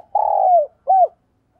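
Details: Spotted dove used as a decoy bird: one long, steady low coo that falls slightly at its end, followed by a shorter arched coo, clear and close.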